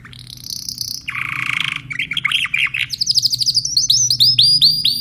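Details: Song of a Timbrado canary: a steady high tone, a broad buzzy rasp, then quick repeated upward-sweeping notes accelerating into a rolling series of clear rhythmic syllables, with low background hum.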